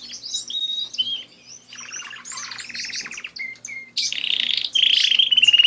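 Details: Canaries kept as pets singing varied phrases: high chirps, buzzy rattling rolls, short level whistles, then loud fast pulsed trills at the end; low hum faintly present.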